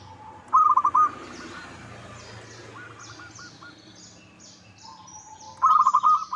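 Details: Local zebra dove lure recording meant to draw a reply: a short rolling coo phrase at the start and another at the end, a fainter phrase between, over soft background hiss and high distant chirping.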